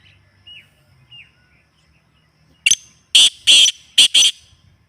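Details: Real partridge call used to stir a kept partridge: faint thin whistles at first, then a sudden loud sequence of a short note, two long harsh bursts and a rapid final pair.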